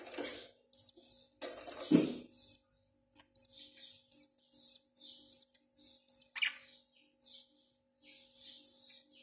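Budgerigar chatter: quick, scratchy high chirps and warbles tumbling in irregular bursts, over a steady low indoor hum.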